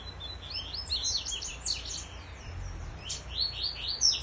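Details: Double-collared seedeater singing against a free-flying rival; continuous fast twittering of high, downslurred and upslurred chirps, sometimes overlapping as if two birds alternate, with low background rumble.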